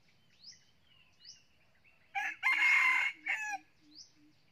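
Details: Decoy red junglefowl rooster, almost nine months old with red plumage, gives a loud, harsh, broken crow of several segments lasting about one and a half seconds. Faint, thin rising chirps from other birds come before and after it.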